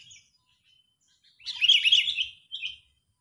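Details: Sooty-headed bulbul, angry and excited, recorded as a lure for catching birds: one dense burst of rapid, scratchy chatter with sliding notes, followed by a short single squeak.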